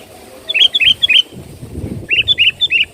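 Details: Sooty-headed bulbul song played as a lure to attract birds: two short bursts of quick, bright chirped notes, each a run of three or four bubbly rising-falling whistles, over a low rural rumble.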